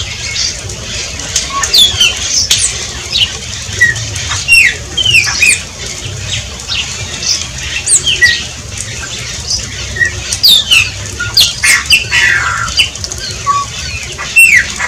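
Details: Shiny cowbird singing: a busy stream of overlapping downslurred whistles, clicks and bubbly sputters, loudest in bursts around the middle and near the end, with low background hum.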